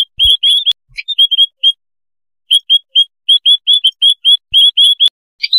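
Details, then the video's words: White-headed munias from a noisy flock, kept as a lure sound: bursts of high, clipped, rising chirps separated by a long quiet pause, then evenly spaced single notes. "suara pikat burung emprit kaji / Pipit haji koloni ribut"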